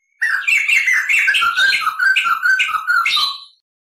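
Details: White-crested laughingthrush cackling and rolling on a tutor recording: a loud, continuous stream of fast squawky and whistled notes lasting about three seconds.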